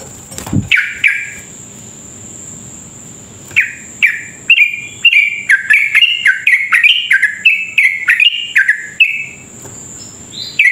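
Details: Sooty-headed bulbul giving extended rapid 'ropel' song used to provoke rival bulbuls: a low thump, two chirps, a pause, then a dense string of descending chirps in varying pitches, over a faint continuous high tone.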